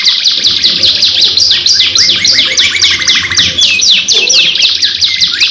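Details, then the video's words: Domestic canary lure song (kenari pancingan), a long 2-in-1 gacor recording: dense, continuous high warbling with rapid downward-sweeping whistled notes and fast buzzy trills layered over one another, no pauses, faint low hum beneath. "PANCINGAN KENARI GACOR PANJANG 2 IN 1 | CANARY SINGING"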